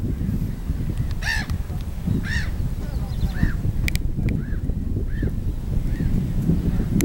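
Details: Swans on Lake Võru give a series of short, nasal, trumpeting honks spaced roughly a second apart. A few sharp clicks and a steady deep rumbling background run underneath.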